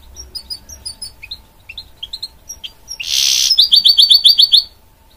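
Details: A goldfinch x canary hybrid (mule) gives soft scattered chirps, then a loud burst of harsh rattling, followed by about eight evenly spaced bright chirping notes in quick succession.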